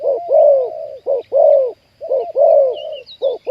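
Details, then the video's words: Spotted dove with a big 'khu ang' style voice, recorded during decoy trapping of wild birds. Deep, mellow coos come in quick doubled phrases, a short note followed by a longer, drawn-out hoot, repeated twice. "ต่อนกเขาใหญ่ วันนี้จับนกป่าคูอ่างเสียงใหญ่"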